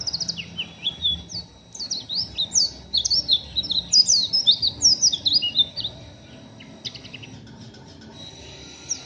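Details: Untrained oriental white-eye in rough ngeriwik chatter, a fast run of sharp, high, downslurred chips about two or three per second building into a dense twittering burst, then a short harsh rattle and sparse calls near the end.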